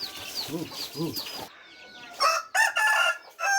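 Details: Soft, arched, repeated calls and high chirps come first. Then a third-generation red junglefowl gives a loud, harsh, broken crow in the last second and a half.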